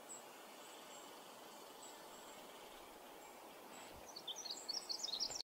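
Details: A male Pacific Wren in forest at Manning Park, July 2020, bursts into a rapid, very high, tinkling run of notes near the end, after faint distant high notes over a steady rushing hiss.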